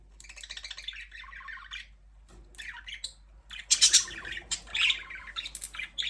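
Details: Budgies chattering: a long scratchy warble, a short pause, then louder squeaky chirps and sharp squawk-like notes.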